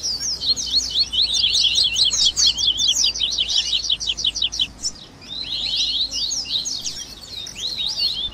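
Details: Double-collared seedeaters (coleiro) in a dense excited chorus for warming up and training birds, mixing song variants (grego, viviti, flauteado): rapid high twittering and slurred notes almost unbroken, pausing briefly near the middle.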